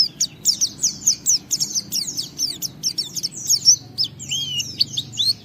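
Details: Gacor white-eye song meant to tempt other white-eyes into singing: quick, high-pitched chirps and downward-slurred twitters repeated in a lively, unbroken chatter, ending with a few clearer sweeping whistles.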